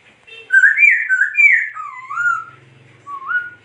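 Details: Laughingthrush delivering a smooth, liquid warbled phrase that wanders up and down, then a softer rising whistle; faint low hum underneath.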